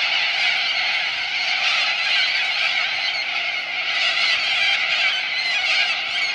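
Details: Corellas massed at a lagoon on Coopers Creek near Innamincka, South Australia; countless raucous screeches merge into a loud, constant din that surges slightly toward the end.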